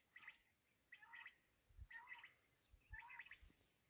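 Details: Black francolin (kala teetar) calling: four harsh, grating multi-note bursts, each about a third of a second, spaced nearly a second apart, over a soft steady background hiss.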